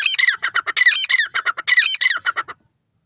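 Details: Teetar, the grey francolin, calling in the Dakhni teetar manner: strident, grating notes strung into quick repeated phrases for about two and a half seconds, then silence.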